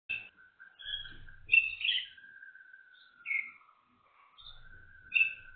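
Waterslager canary song: a long, low, rolling trill that sags slightly and rises again, broken by a few brief, brighter chirped notes.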